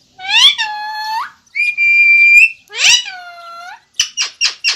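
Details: A rose-ringed parakeet (Psittacula krameri) mimics speech in a high, nasal voice: three drawn-out phrases, one a steady whistled tone, then four quick clipped syllables.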